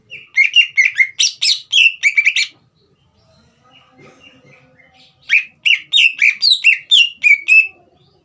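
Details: Green leafbird kept as a songbird, singing to excite a juvenile: two fast bursts of loud chirped, slurred whistles, each about two seconds long, separated by a quiet gap with faint background sounds.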